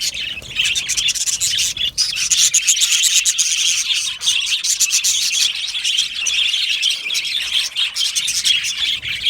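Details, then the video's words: A colony of Australian budgerigars kept in an aviary chatters happily: high, busy warbled song and rapid chirps pour out continuously, growing louder after the first two seconds. "Australian Budgie singing and chirping sounds"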